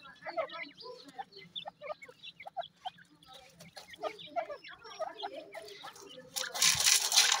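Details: Several grey francolin (dakhni teetar) chicks giving rapid, thin chirping peeps, clustered and uneven in rhythm, ending in a loud rustling, hissing noise.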